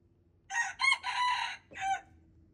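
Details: Red junglefowl rooster, recorded February 26, 2025, crowing: a harsh multi-part crow with two short opening notes, a long drawn-out middle syllable and a brief clipped ending, over a faint low background hum.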